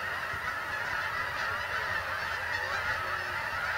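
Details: Migrating geese arriving at Bombay Hook National Wildlife Refuge on Delaware's eastern shore, USA, a dense, unbroken chorus of overlapping honks from a large flock, steady throughout with no pauses.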